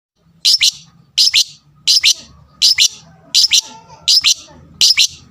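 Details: Lovebird fighter sound meant to provoke rivals: sharp high chirps in doubled bursts, about every 0.7 seconds, seven pairs, with a faint low hum beneath.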